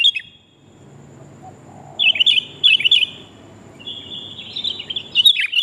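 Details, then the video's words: Sooty-headed bulbul female calling the male, used as a lure for trapping: short, bright, chattering phrases of quick warbled notes in several separate bursts with pauses between them. "kutilang betina memangil jantan"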